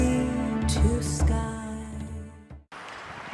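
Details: Soft melodic music with sustained tones and a short pause before faint noise resumes; no animal voice is heard.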